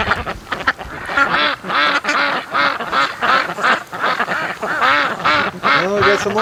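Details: Domestic ducks on day 107 of raising, a flock answering as they are called home with a new whistle; a dense chorus of loud, harsh quacks repeats rapidly and continuously, several birds overlapping.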